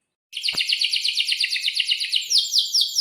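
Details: Lively canary in full song, meant to coax young birds into answering: a dense, fast rolling trill of buzzy repeated notes held steadily, ending in a few sweeping slurs.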